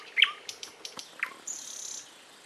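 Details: Bird calling outdoors: a sharp high chirp dropping to a low tail, a few dry clicks, another slurred chirp, then a steady, very high buzzing tone held for half a second.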